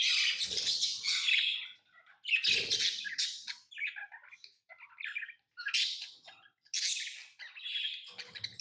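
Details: Tame pet lovebirds chirping in a small room: harsh, screechy bursts of high chatter separated by short pauses, interspersed with quieter thin twitters, plus faint low knocks.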